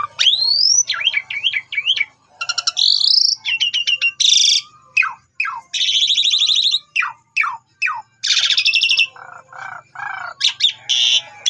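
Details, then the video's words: A long, varied song from an Asian pied starling, played to lure other starlings into answering and singing. It mixes rising whistles, repeated hooked notes, bursts of harsh static-like noise and a run of falling slurred calls. "Cukup 3 Menit Saja Jalak Suren Bakal Nyaut Dan Ikut Gacor Dengan Pancingan Jalak Suren Ini"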